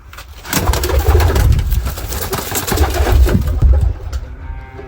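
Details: Domestic pigeons kept in a loft, where eggs and young chicks are being checked a week on. Low, murmuring coos rise and fall over about four seconds amid clattering, rustling cage noises and an echoey indoor background.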